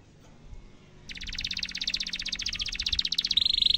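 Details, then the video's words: Canary tutor song meant for young canaries to imitate, bursting in after a quiet second into a long, fast, high rolling trill that speeds up and brightens toward a whistled note at the end. "Kenari gacor panjang cuit cuit emosi pancingan kenari paud belajar bunyi suara gampang di tiru"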